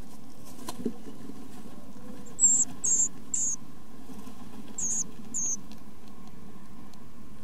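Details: Great tit chicks being fed by their parents give very high, thin squeaky bursts, five short clusters within a few seconds, over a steady low rumble.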